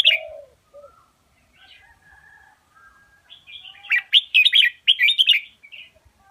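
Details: Indonesian double-style master song of a red-whiskered bulbul, meant for teaching chicks and stirring other birds to answer. It opens with a low whistle and soft, sparse notes, then a fast run of loud, chirpy, warbled phrases near the end.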